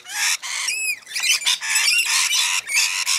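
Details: Rainbow lorikeets while feeding, loud harsh continuous screeching with a brief clear whistled note near the start of the clip.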